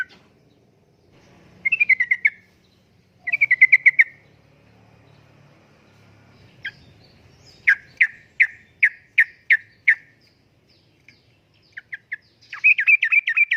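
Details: Sooty-headed bulbul, uplik-uplik style, recorded for luring and tutoring kept birds. Two short bubbling bursts, then a spaced row of six clipped notes, then a closing rapid trill, separated by quiet pauses.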